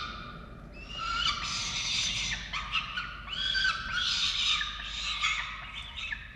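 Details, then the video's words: Three falcons filmed by nest camera in Orange, Australia, at a chick feeding on 13 November 2022; steady rough, wavering wails overlap throughout, with curving, slurred notes rising and falling. "Sokoły -Diamond & Xavier & Rubus 🐥🌹🍀 - Karmienie 13/11/2022"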